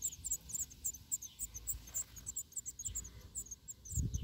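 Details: Six-day-old black redstart nestlings beg for food: a rapid chorus of thin, very high squeaky begging calls, several per second, over low rumbling handling noise.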